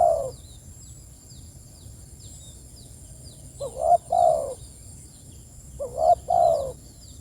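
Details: Spotted dove calling to its companions, giving soft, throaty cooing phrases, a short double note followed by a drawn-out coo, repeated twice after a pause, over thin distant bird chirps and a constant high-pitched hum.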